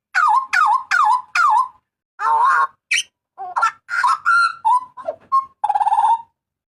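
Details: Papuan butcherbird giving loud, harsh cries, suited to tutoring and luring cage birds: four sharp descending notes, then varied rasping, whistled and buzzy phrases ending in a trilled tone.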